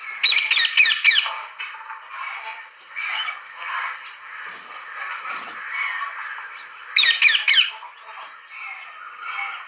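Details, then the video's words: Parrot giving harsh, raspy squawks in short rapid bursts near the start and again near the end, with softer grating calls and a steady hiss between them. "Parrot's sound"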